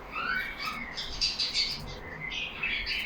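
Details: A cage of yellow budgies chattering together, soft warbled phrases and rising whistled notes interleaved with brief high squeaks, fairly sparse over a few seconds.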